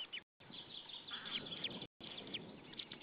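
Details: White-tailed eagle pair at their nest in Saunja, Estonia, 26 April 2013 at 19:20. The male arrives shouting, then the female, both calling to another white-tailed eagle. Harsh, harmonic yelping notes stand out through steady hiss with brief dropouts.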